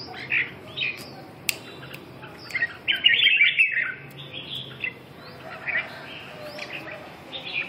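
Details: Red-whiskered bulbul singing lively chirped and warbled phrases at irregular intervals, with a louder burst of rapid chatter midway and faint clicks and hum in the background.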